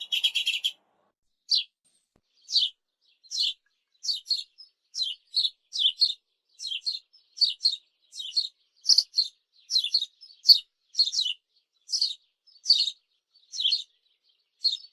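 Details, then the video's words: A sparrow gives a long series of sharp, high, slightly buzzy chirps, one about every half second to second after an opening chattering burst, with a quiet background. Recorded with 8D audio. "SONIDO DE GORRIÓN"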